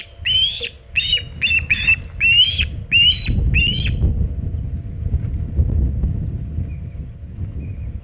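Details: Osprey at the Hog Island nest with a big shad, 27 August 2019, around 3:50 pm EDT: six sharp, upslurred whistled chirps in quick succession, then only low rumbling noise, wind or movement at the nest.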